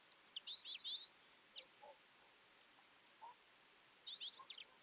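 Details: Twite feeding in a winter flock, with dense overlapping high twitters at the start and end and a few softer, lower single notes in between.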